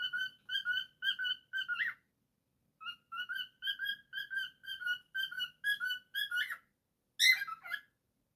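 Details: Cockatiel kept as a pet, indoors, whistling rows of short, bright, buzz-edged notes in rhythmic phrases, ending with a louder, harsher squawk-like burst after a brief pause.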